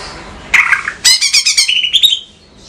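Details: Captive female greater green leafbird from Banyuwangi, kept as a pet and singing vigorously: a buzzy burst, then a quick run of bright, rapid chattering notes that slide into a rising whistle, over a quiet background.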